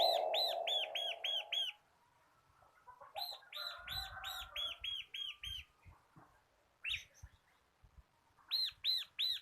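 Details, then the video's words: Local bar-winged prinia, kristal kapas type, singing actively in ngebren style as a tutor for caged birds. Fast runs of six to seven ringing arched notes separated by pauses, with a low warbled phrase at the start. "BURUNG MASTERAN CIBLEK KRISTAL GACOR / CIBLEK LOKAL KAPAS SUARA NGEBREN"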